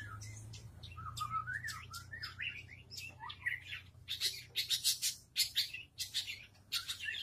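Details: Long-tailed shrike, a kept bird placed in front of a house and singing continuously: a lively, varied run of sharp chirps, slurred whistles and buzzy bursts, growing denser and louder toward the end, over a low steady hum.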